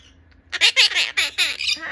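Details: A captive four-year-old male green monk parakeet begs its mother for food with a rapid run of five harsh, raspy squawks packed into about a second and a half, each one loud and buzzy in a quiet indoor room.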